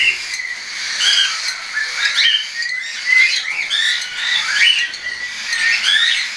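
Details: Hand-tame young cockatiels, partly weaned, flying, 10 September 2012: busy squawky chatter of rising and falling chirps in rhythmic bursts, several birds overlapping across the whole stretch.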